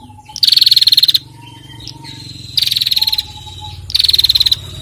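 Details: Female bar-winged prinia ngetir calling: three harsh rattling trills of rapid pulses in about five seconds, backed by faint high whistles and a low hum.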